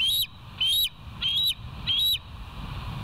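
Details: Bald eagles at the West End nest on 13 July 2023, on a live nest camera: four loud, high, slightly rising piping notes about two thirds of a second apart, clear above faint low rumble.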